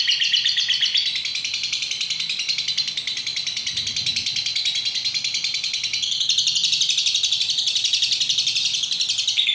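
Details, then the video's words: Lovebird of the fighter-song style called "belalang tempur", singing while swaying: a dense, continuous stream of rapid high chirps and ticks, fast and unbroken throughout, with no other clear sounds. "Love Bird "BELALANG TEMPUR" bunyi sambil goyang"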